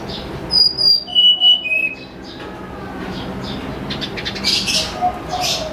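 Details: Snowy-browed flycatcher singing in the morning, a recording used as a lure: a short run of thin, high whistled notes stepping down in pitch, then rustling background noise with faint high chirps.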